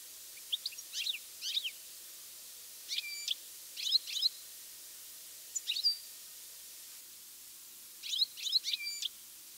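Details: European goldfinch recorded in mid-August in good weather gives bright, liquid twittering calls in quick bursts of three or four notes, repeated every second or two against a quiet background; one bird calls using its whole body.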